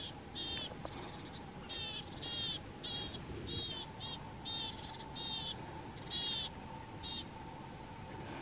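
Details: Marsh or willow tit singing loudly on 31 January 2022 by a feeder: a long series of repeated nasal, ringing notes about two per second, each short and even, over a constant low hum.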